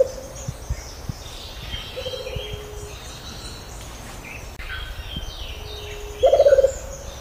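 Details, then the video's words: Rufous-capped motmot (juruva, Momotidae) giving low, soft hoots that end in a louder quavering, trilled hoot, over faint high chirps from other forest birds. "Canto pássaro Juruva"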